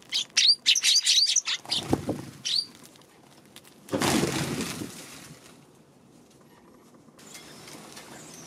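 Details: Eurasian tree sparrow, March 2: a quick run of high chirps for about two seconds, followed by a burst of wing flapping and rustling, then near silence.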